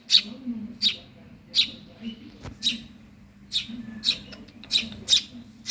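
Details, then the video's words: Eurasian tree sparrow chick, hungry, calls with around nine scratchy high chirps in uneven bursts; one sharp click midway, and a steady low hum behind. "suara anak burung gereja lapar"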